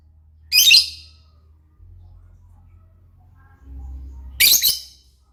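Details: Actively calling lovebird giving two harsh, piercing screeches nearly four seconds apart, separated by a low steady hum in a quiet space.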